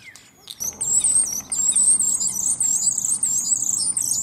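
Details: Male common starlings sing against each other in a cherry tree in Germany, copying other creatures; a loud, continuous, very high warbling stream of rapidly wavering whistled notes after a brief quiet start.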